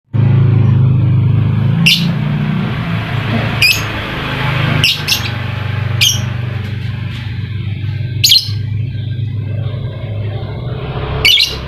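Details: Lovebird recorded as a lure to spur reluctant lovebirds into singing: sharp, shrill chirps every one to two seconds, each a brief high burst, over a loud, steady low hum.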